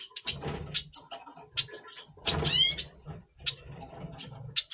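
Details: Double pastel red siskin in breeding mood before breeding, November 2023: scattered, sharp high chirps with one brief harmonic rising note, over a faint low hum.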